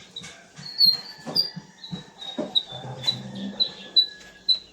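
Red-vented Bulbul giving short, thin, high whistled notes about twice a second, over low thumping background noise.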